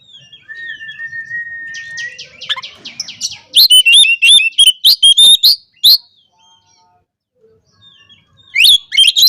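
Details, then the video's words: Oriental magpie-robin singing to call out and provoke opponents: a long level whistle, then a dense run of loud, sharp, rapidly repeated chirps and harsh notes, a brief pause, and another loud burst at the end. "KACER GACOR NGOBRA, Kacer Lain Pasti Langsung Emosi Buka Ekor Kalau Dengar Suara Ini"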